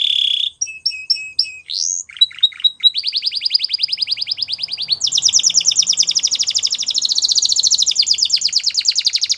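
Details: Spanish Timbrado canary song: piping whistled notes and upward slides, then a long, steady, very rapid metallic trill that jumps to a higher pitch midway and rolls on.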